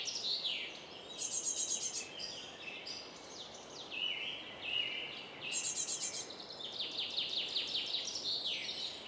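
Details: Song thrush parents feeding four young roughly 10 m high; bright repeated notes in short bursts, some buzzy high trills and downward sweeps, alternating with quieter gaps over constant background noise.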